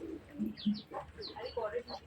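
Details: A hill myna named Kamini speaks Bengali in a clear woman-like voice, greeting with "assalamu alaikum" and asking "bhat kheyecho". Its quick run of clipped, human-sounding syllables is broken by sharp, high whistled notes.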